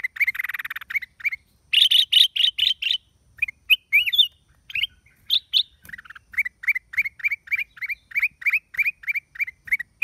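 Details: Black-crested bulbul song recorded on 29 December 2023: bright, warbled and whistled notes around mid-high pitch, with a buzzy scratchy burst at the start, then a fast run of short rising chirps repeated about three times per second.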